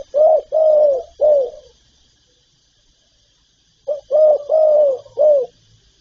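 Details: Calling, urging and cooing repertoire of the spotted dove: two deep hollow phrases, each a short pickup note then two or three full, gently falling coos, separated by a two-second silence.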